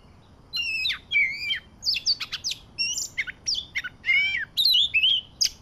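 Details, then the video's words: Oriental magpie-robin of the Medan type sings a rapid run of varied, high whistled phrases with sliding notes and short scratchy bursts, about every half second, with no other sounds. "PIKAT BURUNG KACER"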